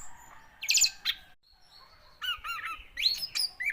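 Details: Orange-headed thrush song: bursts of high, rich whistled and slurred notes with buzzy chattering, separated by a short pause, then rising and falling whistles.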